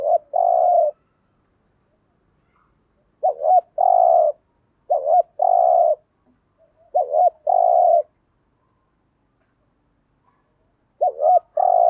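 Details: Spotted dove cooing, used as a lure for wild doves. A two-part phrase repeats about every two seconds: a quick rising-falling double note, then a long, steady, low coo. Quiet background.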